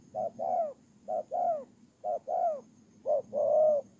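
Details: Spotted dove used as a ground decoy in Kon Tum, Vietnam, Tumorong, September 2018, uttering four coo phrases: a quick short hoot then a fuller falling note, spaced about a second apart.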